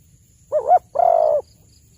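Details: A single cooing phrase from a spotted dove, used as a hunting lure: a short wavering coo followed by a longer steady, slightly vibrating coo, over faint low background rumble.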